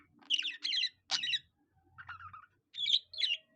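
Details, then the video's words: Pet budgerigar copying a cockatiel, giving loud, harsh chattering bursts with raspy squawks, a lower hoarse murmur in the middle, and faint low rumbling beneath. "A budgie that sings like a cockatiel"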